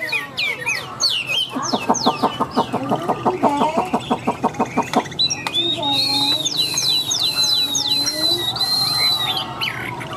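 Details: Tame Chinese hwamei with a very loud, resonant voice: a fast run of harsh, clucking pulses for several seconds, then a string of bright, rapid whistled notes repeated several times a second.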